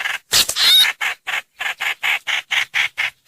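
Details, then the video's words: Streak-eared bulbul call used as a lure: an opening burst of bright, wavering chatter followed by a steady run of short, harsh notes about four per second. "Tiếng chim trao trảo- hoành hoạch mồi mới 2022"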